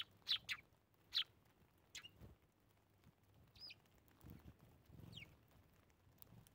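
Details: Eurasian tree sparrow at morning feeding in winter, 25 December, gives two sharp, bright chirps in the first second, then a few fainter scattered notes, over a low rumble and soft thumps.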